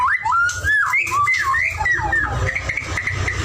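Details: White-rumped shama singing; clear whistled phrases sliding up and down in smooth loops, loud and continuous, with low rumbling room noise beneath.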